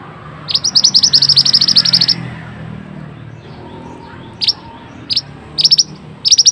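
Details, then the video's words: Mantenan singing in a training recording for birds: a fast run of high, sharp chirps for about a second and a half, then short separate bursts of two to four bright notes after a pause, over faint background hiss. "suara burung mantenan super unik"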